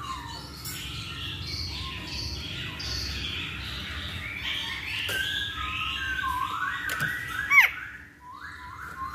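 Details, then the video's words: Masked laughingthrush song played as a lure to make kept birds start singing quickly: a run of varied warbled and slurred whistled phrases, mid to high pitched, following one another with short gaps over a steady low hum. "Pancingan Poksay Hongkong Agar Cepet Bunyi"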